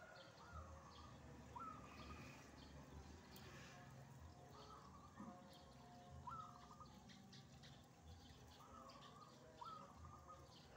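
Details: A wild perkutut, or zebra dove, sings in the morning in reply to a caged bird. Regular phrases, each a sliding rising note followed by a bubbling trill, recur every few seconds over a low rural background.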